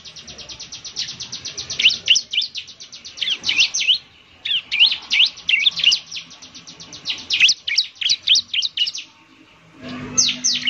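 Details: Bar-winged prinia singing as a lure, a semi-trained bird delivering long rapid series of high, thin, snapping chips broken by short pauses, then a final burst over a low hum.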